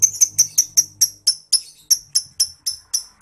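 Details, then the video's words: Lovebird in the 'ngekek' singing style, used as a master recording to prompt other birds: a steady series of sharp, high chirps, about four per second, with a low hum early on. "PANCINGAN MASTERAN NGETIK LOVEBIRD NGEKEK GACOR"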